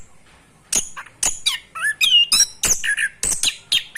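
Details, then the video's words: Learning orange-headed thrush attempting ngerol, a rolling song: after a brief quiet start, a quick series of harsh squawky notes mixed with short whistled slurs, about three to four notes per second, uneven in rhythm. "Anis Kembang belajar ngerol"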